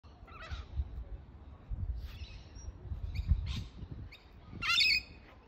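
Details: Rainbow lorikeet at sunset in Sydney giving harsh, screechy squawks in short bursts, four spaced over about five seconds, with the last the loudest and longest, over a low rumbling background.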